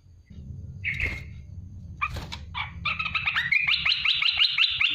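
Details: An olive-winged bulbul (merbah belukar, cucak lumut), recorded as a master song for songbirds, gives a few rich, bubbly notes, then a quick run of warbling phrases repeated almost three times a second, over a low background hum.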